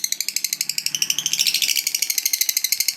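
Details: Lovebird, a fighter-type bird, singing a long ngekek: a fast, rattling string of harsh high notes, about three per second, steady and unbroken throughout, with a faint low hum beneath.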